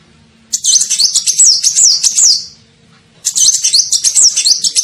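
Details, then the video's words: Sunbird (kolibri ninja) call played to attract birds: two bursts of very high, quick chattering notes, each a string of sharp zigzag chirps that slides down at the close, separated by a short quiet gap. "SUARA PIKAT KOLIBRI NINJA"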